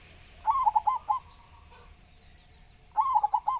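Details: Local zebra dove singing two cooing phrases about two and a half seconds apart, a drawn opening note then quick bubbling coos, faint other dove notes in the background.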